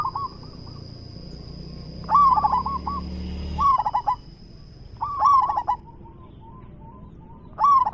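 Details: Zebra dove (perkutut), a local bird with a big voice, cooing: rolling, bubbling coo phrases every one to two seconds, with softer staccato notes between them, over a steady high whine and low rumble.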